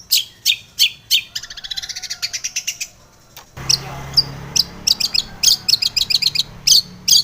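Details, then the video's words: Morning lure song of a female long-tailed shrike, used to calm and stimulate caged birds: sharp, dry chips repeated steadily, then a fast rattling burst, a brief pause and a renewed series of scratchy notes. "kicau pancingan cendet pagi hari agar emosi STABIL |cendet betina gacor isian"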